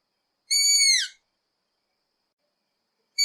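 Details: Striped owl: one loud, clear whistled call lasting about half a second, holding a steady high pitch before sliding downward at the end. Silence follows, then the start of another similar call.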